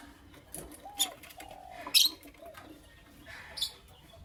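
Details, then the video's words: In the morning, Creamino and Lutino Opaline lovebirds give a loud scratchy chirp preceded by soft curved whistles, followed by a weaker harsh chirp. "Lovebird Chirping Sounds"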